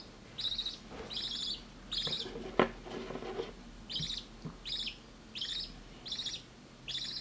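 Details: A budgerigar chick being hand-fed formula by syringe gives raspy, buzzing begging chirps in quick, regular bursts.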